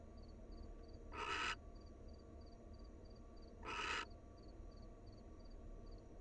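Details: Wild barn owls together at their nest in a pair-bonding moment; two breathy rasping screeches roughly two and a half seconds apart, with constant low background hum and soft rhythmic high beeping.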